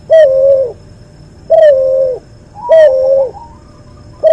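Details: Barbary dove hybrid, bred from a white albino dove and a pelung dove, recorded as a tutor track: a steady run of low, rich coos about every 1.3 seconds, each level and ending with a slight drop.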